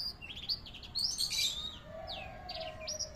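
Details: Canary song used as a tutor recording: fast rattling trills and bright rising whistles, with a loud burst of dense chirping in the middle and a low steady hum behind.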